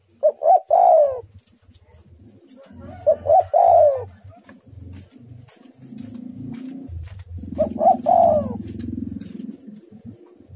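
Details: Spotted dove cooing in three phrases, each quick coos then a longer descending roll, over a steady low rumbling background noise.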